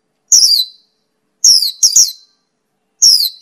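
Mongolian lark giving short, harsh, high downslurred notes in separate bursts, about one every second, with clean silence between.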